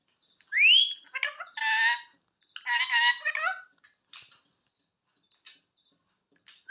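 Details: Parrot of an unusual colour, giving a sharp rising whistle followed by harsh, talk-like squawking phrases in two bursts, then a few short faint notes and a final rising whistle; quiet background otherwise.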